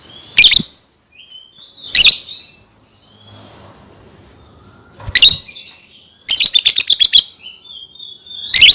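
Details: Lovebird song used to teach young birds to sing: harsh broadband chattering bursts about every one to two seconds, with thin whistled glides between, a rapid six-note rattle near the end.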